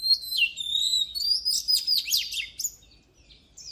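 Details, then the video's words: Loud, rich song of an oriental magpie-robin: sustained clear whistles running into rapid zigzagging high trills, then fading to a soft final note. "Luyện giọng chòe than HÓT HAY || Kích chòe than hót căng lửa || Suara Burung Kacer Gacor"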